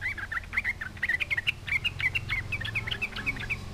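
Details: Sooty-headed bulbul singing vigorously to goad rivals into responding; a fast, even string of short bright chirps, slightly wavering in pitch, about five notes each second.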